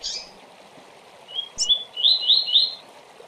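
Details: Double-collared seedeater giving the fast tui-tui song meant for tutoring young birds: a high chip, then a run of accelerating rising whistled notes, over steady background rushing noise.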